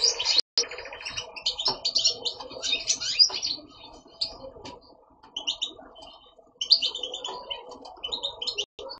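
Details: European goldfinch, a caged male that sings all day and stops only at dark, kept for breeding with a female linnet. Bursts of high twittering and trilled chirps come in separate phrases with quieter gaps, over a faint low murmur.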